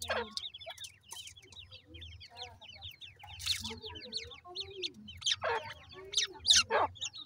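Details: Captive-raised grey francolin chicks peep steadily with short falling whistles, about four per second. Sharp clicks and scuffling noises break in, along with a few lower soft notes.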